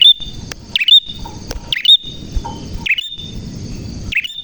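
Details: High, sharp, down-and-up chirps from a vigorously singing prinia with a clear voice, four bursts roughly a second apart, with occasional soft lower tones between.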